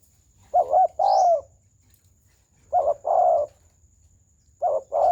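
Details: Spotted dove in full, round cooing style (gù tròn): a doubled opening note then a long rounded coo, repeated roughly every two seconds, with a thin high upward chirp early on and a steady faint high whine.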